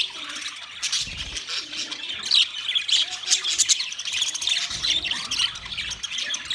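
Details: Budgies chattering on 13 March 2024, with several Australian parrots producing a steady wash of rapid, high-pitched chirps and raspy squawks that overlap without pause, growing busier in the second half.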